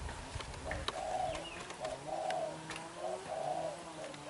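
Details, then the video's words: Young wild-caught black-eyed spotted dove cooing vigorously: low, soft hooting coos in short phrases of two to three notes, spaced about a second apart, with faint clicks and background hiss. "Bổi Tơ mắt đen, đập gù quá dữ"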